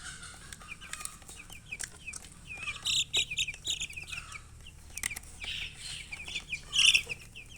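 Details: Chickens chirping: steady trains of short, high, downward-slurred peeps from several birds, swelling into louder clustered bursts, over a faint low hum.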